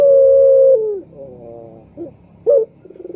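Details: Turtle dove, male, luring call: a loud sustained coo ending in a downward slide, a softer harmonic phrase, a short bright note, then fast pulses.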